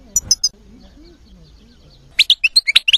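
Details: European goldfinch: three brief high chirps, a pause with a faint low tonal sound in the background, then a quick string of about eight sharp, bright twittering notes.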